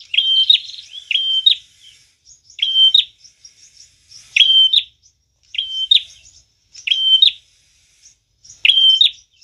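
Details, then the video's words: Prinia song for luring birds: short phrases repeated about every second, each a level high whistle with a bright chip at the end, separated by faint twitters. "Prenjak tamu gacor cocok banget buat pikat dan pancingan"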